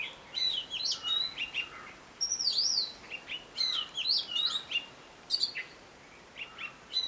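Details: Robin, described as a great mimic singing one of its different tunes: varied bright whistled phrases with sweeping, slurred notes and short chirps, given in quick bursts separated by brief pauses, over a faint background hiss.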